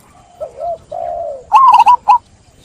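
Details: Zebra dove: soft, low drawn-out coos, then a loud burst of rapid, trilling staccato coo notes.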